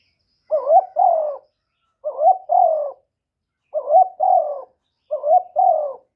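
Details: Spotted dove, a young male, calling loudly with four evenly spaced two-part phrases: a brief wavering rising note, then a fuller coo sliding downward, roughly every one and a half seconds.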